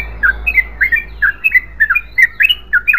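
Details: Yellow-vented bulbul delivering quick bubbly doublets, each note swooping down then up, in a steady run of roughly three per second over a low background rumble.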